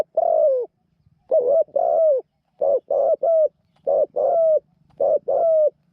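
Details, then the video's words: Decoy spotted dove used to lure wild doves into a trap, noted for a small voice and frequent cooing: paired low hoarse coos, each second note longer and falling, repeated in quick runs, with a faint hum beneath. "เสียงเล็ก คูเก่ง"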